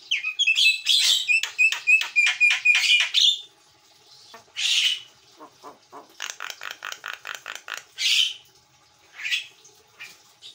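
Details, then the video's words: Javan myna, jalak kebo mata putih, in full gacor song for training: a quick string of sharp rattled notes, then a pause, harsh squawks and softer repeated chattering pulses. "JALAK KEBO MATA PUTIH GACOR"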